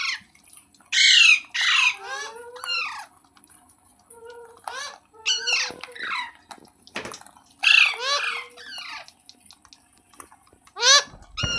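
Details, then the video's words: Rose-ringed parakeet kept as a pet, giving loud harsh screeching squawks in bursts of two or three, with downward-sweeping harmonic notes and short lower chatter between them, quiet gaps separating each burst. "Ringneck Parrot Sounds"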